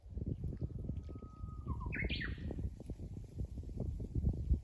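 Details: Japanese bush warbler song: a long, steady whistled note, then a quick rising flourish of brighter notes, over a steady low rumble.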